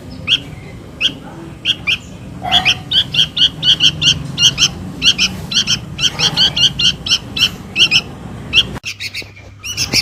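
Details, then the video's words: Chick of a sooty-headed bulbul calling for its mother, a lure recording: rapid runs of rasping, buzzy chirps, growing denser midway, with a faint low rumble behind and an abrupt cut near the end. "SUARA PIKAT // ANAK KUTILANG MEMANGGIL INDUKNYA"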